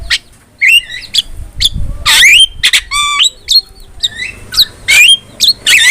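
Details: Javan myna in full song as a training tutor: harsh grating squawks mixed with bent whistles and a rattling buzzy phrase, delivered in quick irregular bursts over faint background rumble.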